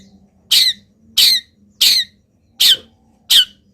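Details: Long-tailed shrike in mimicry song during moult: five loud, harsh, buzzy notes, evenly spaced about 0.7 seconds apart, each falling slightly at the end, with a low hum behind.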